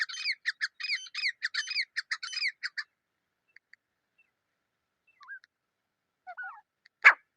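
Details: Wild grey francolin pair voice in its natural habitat: a moderately loud, quick series of scratchy, rising double-toned notes for nearly three seconds, then scattered soft notes and one sharp final burst.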